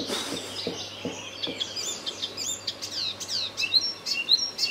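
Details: Loud spring song of an Icterine warbler in a tree line near Midsland, Terschelling, Netherlands, 20 May 2014; scratchy high notes give way to clear falling and rising whistles, repeated in rapid, varied succession.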